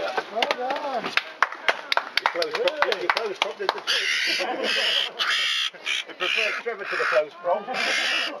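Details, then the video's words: A fledgling jackdaw trapped between two garden fences in Hampden Park, Eastbourne, East Sussex, on 31 May 2012 gives harsh, raspy squawks in quick bursts after people talk and rustle during its rescue. "Jackdaw trapped between fences"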